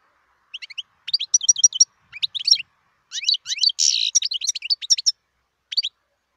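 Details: Wild European goldfinch singing a fast, liquid twitter of bright tinkling notes in bursts, with a brief buzzy rasp midway and short pauses between phrases. No other sounds.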